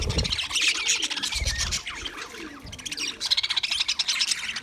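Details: Australian English budgies on February 14, 2024, keeping up a continuous warbling chatter of quick high twitters and short squeaks, with a few low knocks at the start.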